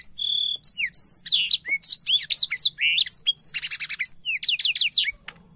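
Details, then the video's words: Energetic song of a black-throated canary that spreads its wings while singing: a held pure whistle, then a fast tumbling stream of high slurred chirps, buzzy rattles and trills with no break, ending abruptly; background otherwise quiet. "Burung blackshot gacor sampai buka sayap"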